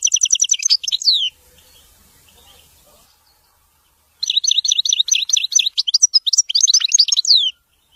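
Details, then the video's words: Wedani song of the European goldfinch: a quick high trill ends on a downslurred note, then a faint hiss and a pause. A long, lively sequence of rapid ringing chirps and twisting slurred notes follows. "تغريد ويداني لطائر الحسون"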